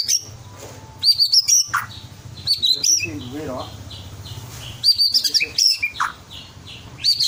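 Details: Ringed twelve-month-old white-rumped shama in a cage, singing to stimulate other birds: sharp high bursts of chips and whistles, a soft wavering low phrase midway, then more rapid high notes.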